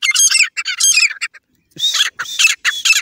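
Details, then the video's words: Partridge lure call for jungle hunting: dense bursts of loud, harsh, chattering notes, a brief silent gap, then more rasping bursts in quick repetition. "Trap of teeter hunting partridge"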